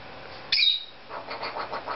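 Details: Pet Cape Parrot making silly sounds indoors: one piercing high whistle lasting a quarter second, followed by a soft series of low pulsed chatter notes.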